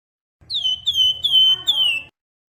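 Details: A Javan grey-throated white-eye sings in a cage, used as a training master and lure for cage birds. It gives four loud, clear whistled notes. Each note dips slightly and the last one falls away.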